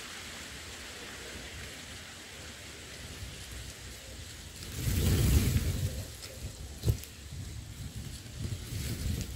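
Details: Steady hiss like rain, broken by a loud rustling surge midway and one sharp knock, with no animal calls.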